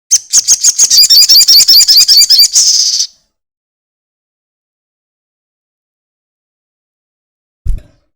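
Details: Crested jay, played as a lure so other birds will sing: a single high, rapid rattle of clipped buzzy notes for about three seconds, then silence and one low knock near the end.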